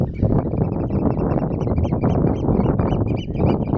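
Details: Eurasian oystercatchers at Terschelling, the Netherlands, on grassland and mudflats; many short, arched piping notes overlap in a steady chatter above a heavy low rumble of wind.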